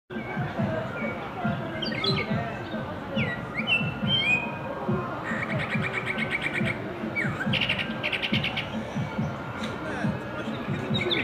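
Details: Blackbird singing tunes in Shanghai in spring, March 2015: varied whistled phrases of rising and falling notes. A burst of rapid, evenly repeated ticks comes midway, over a steady low rumbling background.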